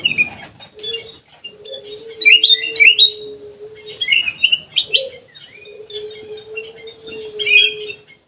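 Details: Sooty-headed bulbul kept in an aviary singing short chirpy, warbled whistle phrases over a steady low humming tone that runs beneath most of the recording.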